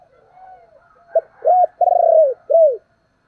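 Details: Decoy spotted dove calling: a clipped introductory note, then deep rounded coos, the long middle coo slightly tremulous and falling, ending in a final arched coo, over a faint soft background call.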